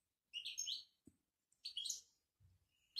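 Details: Moroccan goldfinch bitbita song: two short, bright twittering bursts of liquid chirps and trills, each under half a second, separated by a pause.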